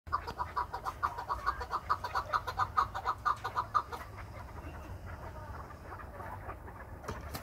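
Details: Captive chukar partridge in Krasnoyarsk, urged on by its owner, gives a fast series of sharp clucking chuk notes about twice per second for four seconds, then falls quiet; laughter and low background rumble.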